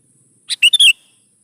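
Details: Lure song of a sooty-headed bulbul for prompting young birds to answer: a single brisk phrase of four punchy notes, the later ones twisting whistles, clean and loud with no other sounds.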